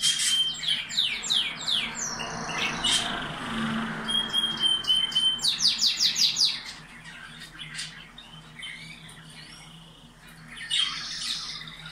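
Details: Canaries in a cage, song meant to stimulate breeding: fast repeated clicking trills, a thin sustained whistle, then more rapid trill bursts and softer chatter toward the end.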